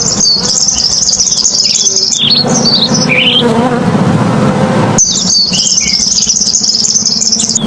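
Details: Purple sunbird in energetic song: a dense, rapid high-pitched twittering trill, broken midway by a run of short, descending sweeping chirps before the fast buzzy trill resumes. A steady low hum runs underneath throughout.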